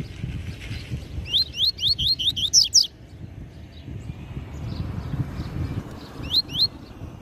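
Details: Double-collared seedeater, a master singer, giving the Tui Tui Zel Zel song style used for tutoring young birds: a quick run of about eight rising whistled notes, then a pause and two more similar notes over low background rumble.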